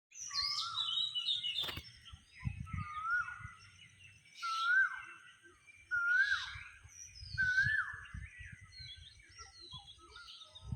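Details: On a morning, a bird gives short, clear, upslurred whistles around every one and a half seconds, with other birds chirping higher behind it and low rumbling noise.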